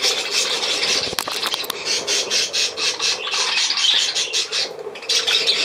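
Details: Budgerigars chattering steadily: dense rapid buzzy pulses and warbled squawks run almost without pause, with a brief flutter-like burst near one second and a low hum underneath.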